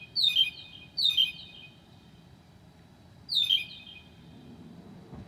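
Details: Night song of a northern mockingbird at 2 a.m., 9 July 2008, imitating other species: loud downslurred whistled notes, two close together, a pause, then a third.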